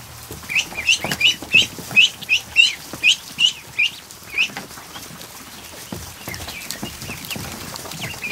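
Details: Afternoon in a barn with more than a hundred freshly hatched ducklings in a kiddie pool; a run of about ten loud, high, rising peeps comes at a quick, fairly steady pace, then softer peeping and rustling follow.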